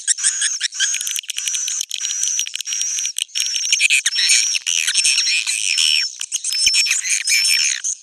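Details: Roosting call of edible-nest swiftlets, a lure for the birds: dense overlapping rasps and chirps with short upswept whistles repeated through the stretch, giving a busy colony-like chatter.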